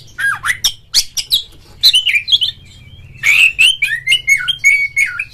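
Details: Indonesian caged oriental magpie-robin giving ngeplong song to prompt others of its kind to sing; rapid scratchy chips lead into buzzy phrases, then a run of clear repeated whistled notes.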